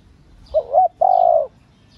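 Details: Female spotted dove calling to stimulate male doves: a short two-part low cooing note, then a longer steady hollow coo, all within about one second. Faint high chirps sound in the background.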